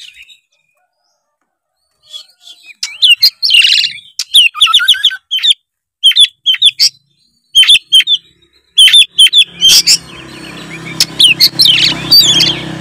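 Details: Oriental magpie-robin in loud, full song, used to stir a lazy juvenile to sing. After a short silence come bursts of sharp whistles and rapid rising trills, with broad hissing noise building in the final seconds.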